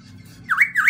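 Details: Black-throated laughingthrush with white cheeks giving two short, loud, wavering whistled phrases, each dipping then rising, in quick succession against low background hum.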